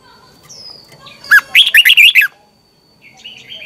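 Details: Morning song of a red-whiskered bulbul, used as a lure to train other bulbuls: a single rapid phrase of about seven bright, rolling whistled notes, then a faint chirp.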